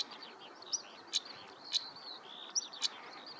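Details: European stonechat in Spiere, Belgium, on 1 July 2024: sharp clicking tick notes repeated several times amid a background chorus of high thin twittering and chirps from other birds.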